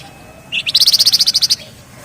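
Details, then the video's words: Short ngebren burst from a flamboyan: an upslurred lead note followed by a quick, even series of about twelve sharp high pulses. "Burung Flamboyan Gacor Ngebren Rapat/ Wergan Jawa"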